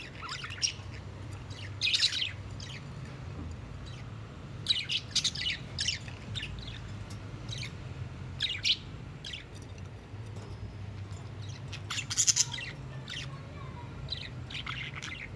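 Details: Happy pet budgerigars chirping in the morning in quick, scratchy bursts of high twitters, with a low steady hum underneath.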